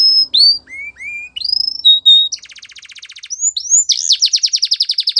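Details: Belgian canary singing a training song for young canaries: rising whistled slurs, a long buzzy rattle, then a fast rhythmic trill of high repeated notes.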